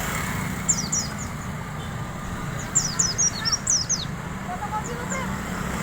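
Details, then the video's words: A wild Oriental white-eye gives a fine, chattering ngalas bablas riwik halus song. Rapid bursts of very high, thin, downslurred notes come in twos and threes, with a few softer lower notes, over constant low rumbling background noise. "kicau pleci ngalas bablas riwik halus"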